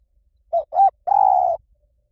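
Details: A spotted dove delivers its lui tan coo, meant to coax a trained dove into replying: two quick rounded notes followed by a long, even, low hoot, in near silence.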